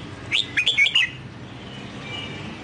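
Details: A single quick Red-whiskered bulbul phrase in the Sông Kon singing style, for training a newly caught wild bird: four or five clear, slurred whistles tumbling up and down, then quiet hum.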